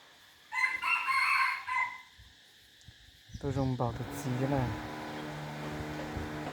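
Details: Chicken giving one strident, buzzy crow lasting over a second, followed by a male voice talking and a steady background hum.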